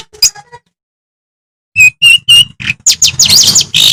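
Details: Madura long-tailed shrike in strong song used to provoke rival shrikes, opening with a few sharp chirps after a pause, then a dense run of harsh, scratchy high notes.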